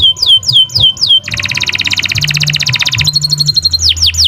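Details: Kenari Nusantara canary in long, nonstop song meant as a training recording for other birds: looping descending whistles, then a fast buzzy trill, then rising whistled notes, about four elements per second.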